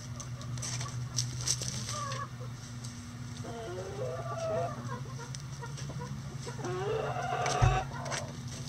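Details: Backyard chickens relaxing through their daily routine; soft scattered clucks and short bent whining notes from several hens, with clicking and scratching noises and a steady low hum underneath.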